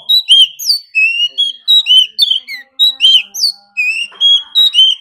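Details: Oriental magpie-robin, a wild-caught bird stirred to sing intensely in competition: continuous fast song of loud, varied, ringing whistles, sharp upslurs and down-slurred notes repeated in quick phrases.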